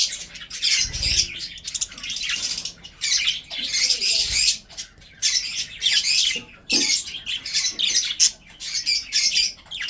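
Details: Pet budgerigars in a breeding setup, eating food, chatter continuously in scratchy chirps and squawks, broken by short pauses, with faint human speech and low thuds in the background.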